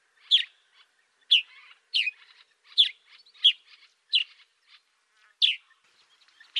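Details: Sparrow recorded in Africa repeating loud downward-slurred chirps roughly once a second, each trailed by faint chattering notes, in an otherwise quiet setting.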